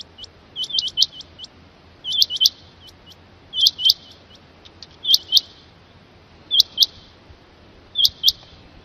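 Rain quail giving sharp, high, metallic notes in quick pairs and triplets, in bursts about every one and a half seconds over a quiet background.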